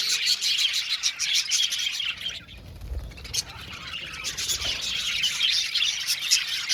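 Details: Budgerigar aviary colony chirping: rapid high twitters and squeaks fill the start, a brief quieter lull with a soft low thump follows, then the busy chattering returns and builds to the end.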